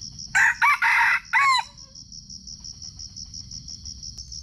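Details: Red junglefowl crowing in Sumatra during a wild junglefowl luring session, filmed on a GoPro: a loud, harsh crow in four clipped bursts over about a second and a half. A steady pulsing cricket trill continues throughout.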